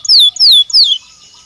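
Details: Belgian canary, training stimulus for singing: three loud descending whistled notes in quick succession, each sliding down, followed by fading quiet.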